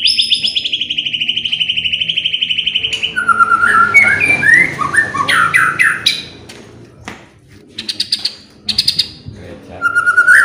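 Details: White-rumped shama song used to trigger singing in other birds: a long, even, rapid trill for about three seconds, then loud varied whistles and slurs, and scattered bright notes after a short pause.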